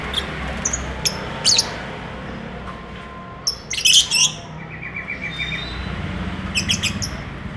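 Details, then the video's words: Lovebird in courtship, wanting to mate: rapid high twittering chirps and squeaks in bursts, with a short run of quick repeated notes, over a low hum. "Burung lovebird bercumbu"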